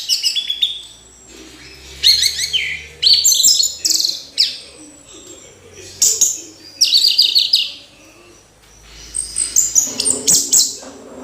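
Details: Orange-headed thrush singing energetically: bursts of rich, varied high whistles, trills and rapid mimic-like phrases, delivered in separate bouts about a second long with short pauses between them; background otherwise quiet.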